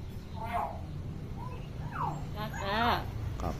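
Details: Tame hill myna, said to imitate any sound with a clear voice, gives a few harmonic, speech-like bursts with a gliding whistle, mostly near the end, against steady low background hum.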